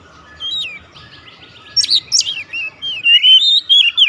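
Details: Oriental magpie-robin singing at once: a loud run of varied whistled phrases, sliding and looping notes between high trills, growing denser in the second half, with faint low rumbling underneath.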